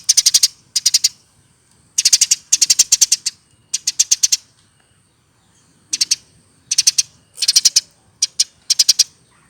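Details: Eurasian tree sparrow in full chatter for bird training, repeating short, regular groups of three to six high, sharp chirps, each group about a second apart, with a short lull midway.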